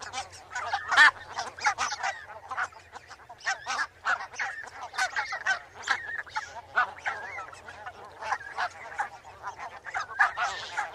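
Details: Barnacle geese chattering: scattered short barks and a few longer, slurred nasal honks rising and falling, with softer calls between the louder ones.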